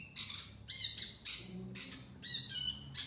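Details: Lure song of a wambi mini, used to attract birds: short bright chirp bursts about every half second over a low background hum, each burst a cluster of high twittering notes.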